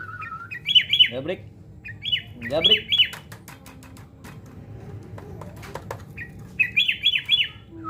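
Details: Sooty-headed bulbul (kutilang) undergoing fight-mental training, giving short bursts of three or four bright, rapidly repeated whistled notes, separated by pauses, sharp clicks, and falling chirps, with a faint low background hum.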